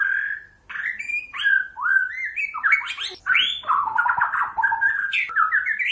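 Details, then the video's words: White-rumped shama pours out continuous rich song, fluid whistled phrases sliding up and down, with brief pauses and varied, jumbled warbling notes throughout. "Kicauan Murai batu"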